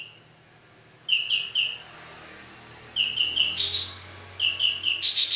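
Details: Javan green magpie in vigorous voice. Three bursts of quick, clear, repeated whistled notes, each burst of three to six notes, about two seconds apart, over a soft low hum.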